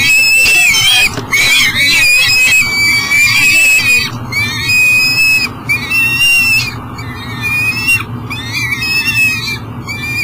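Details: Steady calling from a peregrine falcon holding food outside its nest box at a Minnesota energy station by the Mississippi, 7am, July 2012. Rising and falling harmonic wails come in bursts about every second, some short and clipped.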